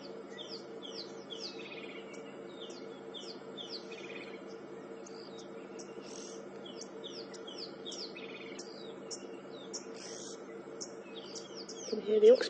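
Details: Oxpeckers overhead on a February morning safari drive near a hyena mother and her two cubs give a steady stream of short, high, chippy notes, several a second, over a low engine hum, ending in a brief louder rustle.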